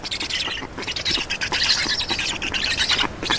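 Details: Black storks at a nest in Estonia during a feeding visit, 2 June 2019, mid-afternoon; harsh, raspy, hissing begging bursts run almost continuously in overlapping waves with brief dips, with no other clear sounds.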